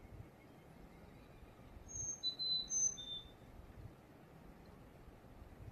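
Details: Carolina chickadee singing four clear whistled notes that alternate high and low in a fee-bee, fee-bay pattern, delivered once over faint low background rumble.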